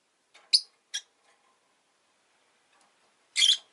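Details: A pet rosy-faced lovebird gives two brief sharp chirps close together, then a long pause, then a longer, rasping, high burst.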